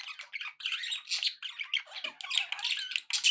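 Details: Constant happy chatter from pet budgerigars: a dense, raspy warble full of squeaks and harsh notes, steady throughout.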